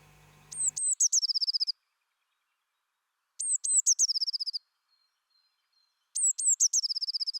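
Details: Eurasian blue tit, called the acrobat, singing in Côtes d'Armor: repeated high phrases, each a couple of thin downslurred notes followed by a fast, even trill, in three bursts about three seconds apart; brief low hum at the start.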